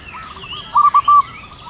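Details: Wild local zebra dove singing at height on a cool morning; a single quick phrase of soft cooing notes closing on a longer note, over a wash of higher chirping birdsong.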